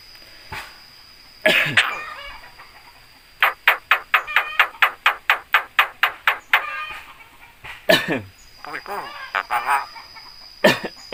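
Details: Talking Javan myna that can copy human greetings and coughs; a loud harsh cry, then a rapid run of about fifteen sharp clicking notes, followed by further rough, voice-like syllables.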